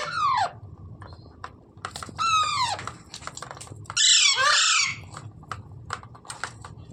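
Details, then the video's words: Parrot, locally called tota or mitthu, giving loud harsh screeches with arching harmonic bands, three main bursts near the start, middle and around four seconds, with short clicks and quieter squeaks between and low room hum beneath. "Parrot sound videos | Parrot voice | Tote Ki Awaaz | Mitthu Ki Awaaz"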